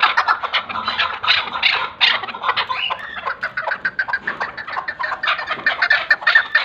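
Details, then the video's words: Chukar partridge (keklik) calling; dense, rapid clucking and chattering notes overlapping in a continuous run, harsh and mid-pitched, with several birds or phrases blending together. "keklik sound partridge call zark vice chukar call chakur sound"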